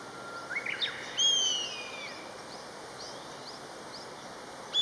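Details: Common buzzard, one of a pair calling to each other: a single high, drawn-out whistled cry that slides downward, preceded by faint short notes, over steady background hiss.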